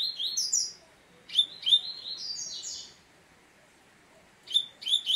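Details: Double-collared seedeater singing bright, high phrases of slurred whistles and quick chirps in bursts separated by short silences; clean, quiet background.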